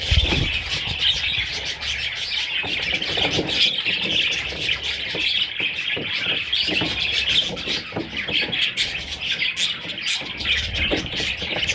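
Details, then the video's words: A brood of young parrot chicks calls without pause, a busy chorus of shrill, scratchy chirps and short squeaks layered over each other for the whole stretch. "Baby Parrots – Sweet Little Chicks!"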